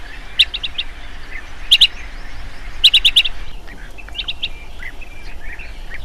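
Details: Chestnut-headed bee-eater, an insect-eating bird, giving sharp high chirps in quick bursts of two to five notes separated by short pauses, with softer chirps from other birds and a steady low background hiss.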